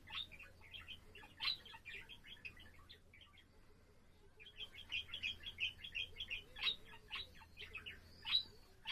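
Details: Captive budgerigar warbling, recorded Thursday 7 April: long, dense streams of rapid chirps and clicks, a short quiet gap near the middle, then busier chatter punctuated by high, piercing squeaks.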